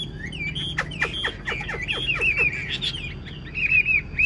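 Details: Carried in its cage, the tame hwamei mixes sharp downward-flicked notes with sweet sliding whistles, ending in a few rising warbled phrases.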